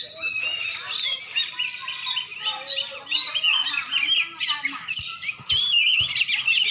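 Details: From Aceh, Indonesia, a champion Oriental magpie-robin pours out rapid, varied whistled phrases with scratchy twitters and a few sharp clicks near the end.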